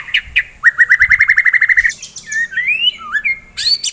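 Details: White-rumped shama singing a loud fighter-style song: a fast run of a dozen rising whistled notes, then long sliding whistles and a sharp high burst at the end.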